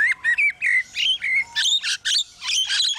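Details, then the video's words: Mimicking construction noises, a lyrebird delivers short whistled notes in quick succession, some rising and some falling, followed by harsher, chopped, buzzy phrases. "Lyrebird making construction noises"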